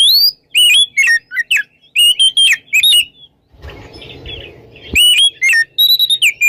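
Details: Morning ngeplong song of an oriental magpie-robin, with bright, slurred whistles and sharp chirps in rapid groups. About a second of dull, broadband rustling noise breaks the singing before the loud whistles return.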